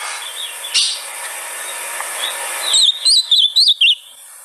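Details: Ultramarine grosbeak song used to prompt a caged bird to sing; a long stretch of faint hiss with soft distant notes, then a short burst of clear, quickly repeated whistled notes near the end.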